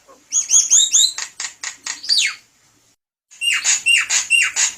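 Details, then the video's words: Javan myna song meant to attract other birds: quick paired rising whistles and clicking notes, a sweeping downslur, a second of silence, then four loud ringing whistled phrases. "SUARA MERDU BURUNG JALAK KEBO SUPER GACOR"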